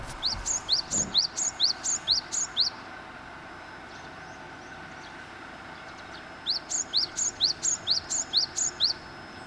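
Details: Japanese pygmy woodpecker, a bird commonly met in Korea, giving two quick runs of about ten sharp, high, rising notes, several per second, over a low steady background hum.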